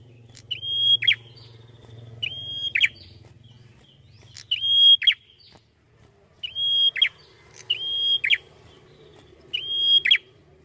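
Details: Red-headed prinia singing at its peak. It gives six repeated phrases, each a flat, sustained high whistle that breaks into a quick buzzy downward twist. A faint low droning hum sits under the first part.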